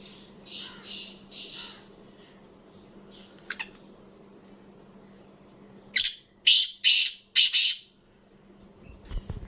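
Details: Black francolin kept as a hobby bird, calling: three softer hoarse notes at the start, a pause, then four loud, harsh, buzzy bursts in quick succession, with light background hiss.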